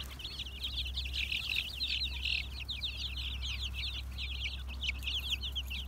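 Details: Black Mottled Brahma chickens from 2020: a dense, continuous stream of high, quick chirps from several birds, overlapping without pause, over a steady low electrical hum.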